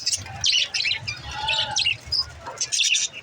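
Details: Budgerigar chirping to help lonely budgies chirp; short bursts of high squeaky warbling and chatter with a brief whistled note, low hum in the background.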